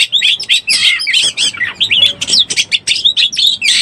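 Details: Breeding-condition Oriental magpie-robin used as a trapping lure, pouring out busy mixed phrases of clear whistles, rasping notes and fast trills in steady rhythmic bursts.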